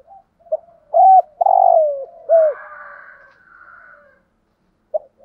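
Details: Decoy spotted dove cooing: a short soft note, then two loud, low, hooting coos with a falling end, followed by fainter trailing murmurs and one more brief note after a pause.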